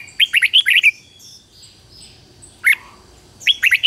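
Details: Singing decoy Red-whiskered bulbul calling wild birds: a fast phrase of five loud warbling notes, a pause with faint soft calls, one sharp isolated note, then the next phrase beginning. A steady high whine runs underneath.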